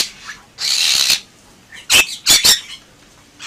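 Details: Harsh, broad screeching bursts from a Bali myna in vigorous gacor song: one long rasping note, then a quick cluster of three sharp, loud squawks.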